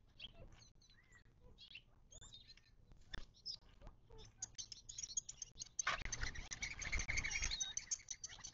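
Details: Several desert birds at a watering hole in the western Mojave Desert of southern California, near Joshua Tree, give scattered high chirps and short whistled notes, building to a busier burst of mixed calls near the end over faint rustling and patter.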